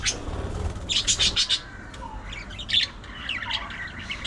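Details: Budgie giving a quick series of harsh buzzy squawks, then lighter warbled chirps and a short falling whistle, low rumble underneath at first.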